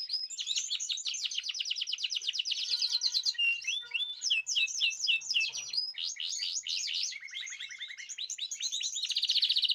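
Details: Caged birds singing as a group; a dense, fast chattering song of rapid repeated high notes, trills and buzzy runs, continuous and lively throughout.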